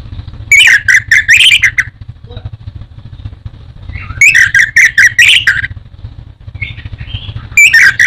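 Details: Orange-headed thrush kept as a songbird in Indonesia, producing dense harsh, buzzy chattering bursts of about a second and a half, repeated three times with quiet gaps and low rumbling in the background.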